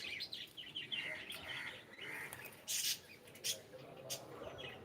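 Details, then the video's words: Cockatiel saying good morning as a pet, with quick chattering chirps early on giving way to a couple of loud, sharp, broadband clicks or snaps and a trailing softer warble. "ShonaTheCockatiel is saying gud morning"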